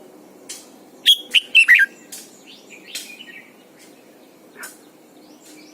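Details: Red-whiskered bulbul singing in the morning as a training lure: one short run of clear whistled notes falling in pitch, followed by faint scattered chirps.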